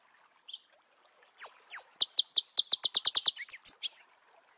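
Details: Marico sunbird singing in natural habitat: a few thin high notes, then a rapid run of sharp descending chips, about a dozen in quick succession, ending in twittering trills.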